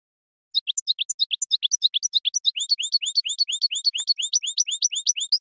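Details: Goldfinch song delivered as a rapid, steady series of sharp, high chirps and looping twitters, repeated several times a second without a break after a short silent start.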